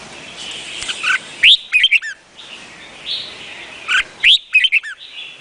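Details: Song of a red-whiskered bulbul, Vietnamese type: two bursts of rapid, bright whistled notes that slur up and down, each preceded by softer warbling, with background bird chatter throughout.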